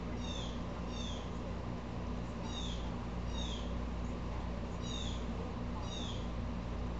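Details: An upset, agitated blue jay calls repeatedly, also disturbing squirrels; harsh descending notes with bright harmonics come roughly every second, often in loose pairs, over a steady low hum.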